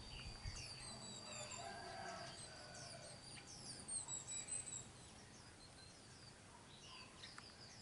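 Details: White-eye nestlings being fed by both hard-working parents. A lively chorus of high, thin, slurred chirps gives way to quieter scattered notes, with a constant high insect drone underneath.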